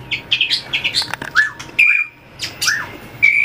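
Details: Trained white-rumped shama singing contest-style while running the perch: quick scratchy notes, then separate clear whistles, some dropping and some held steady and high, with brief pauses.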